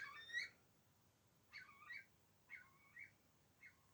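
A Eurasian Curlew gives four short, liquid, bubbling notes that curve up and down, spaced about a second apart against a quiet background.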